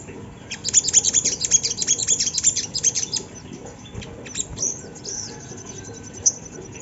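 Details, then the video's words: Sunda laughingthrush sound played to spur other birds into song: a fast run of sharp, high chirps repeating about twice a second, then scattered sweeping whistles and fainter notes over low hum. "Suara sogon yang bikin bunyi burung bahan"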